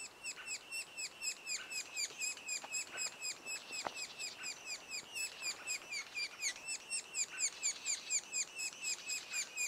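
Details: Sapsucker nest two days before first fledge: continuous scratchy chirps, around two per second, overlapping voices, with a few brief clicks and taps mixed in.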